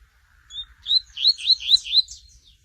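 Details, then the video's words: Double-collared seedeater (coleiro) singing the tui tui song style: a faint thin note, then a run of four or five loud, quick, slurred down-swept whistles in steady rhythm, with low background rumble. "CANTO MARAVILHOSO DESSE COLEIRO TUI TUI"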